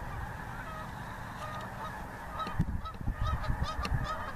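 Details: Geese over the Missouri: a distant flock chorus, then individual nasal honks repeating irregularly in the second half, over low rumble.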